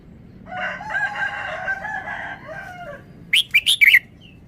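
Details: Red-whiskered bulbul giving its sweet three-syllable song style: a quick, bright, warbled phrase of three to four notes near the end, after a longer, lower, harmonic rasping sound that fills the first three seconds.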